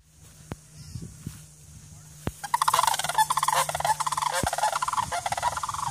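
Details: Two sandhill cranes taking flight in Cary, Illinois, August 9, 2015, giving loud, rolling, rattling bugles, overlapping, after a quiet start with a few clicks and a low hum; rushing noise underneath.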